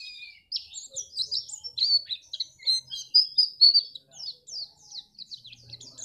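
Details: White-eye (pleci) song from Pacitan, used to make contest birds sing actively: a fast, high twittering run of sharp chirps and short trills that keeps going for several seconds, with little background sound.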